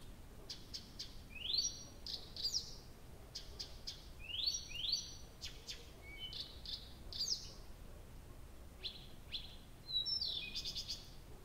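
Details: Nightingale singing through a night in early June at Abramtsevo, recorded from 23:00 on 6 June 2021: repeated phrases of high rising sweeps and sharp whistles with clicky notes between, in bursts every couple of seconds over quiet background noise.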